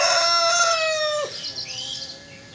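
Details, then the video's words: Rooster giving a sustained crow of over a second, strong harmonic voice holding steady then sliding down at the end, with faint high bird chirps afterward. "Cock voice"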